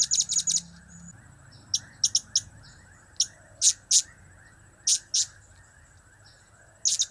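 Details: Blue-crowned hanging parrot kept by a bird hobbyist, sounding cap-cap, kiak-kiak and crap-crap calls: a fast opening burst of high chips, then scattered pairs and single piercing notes spread over several seconds.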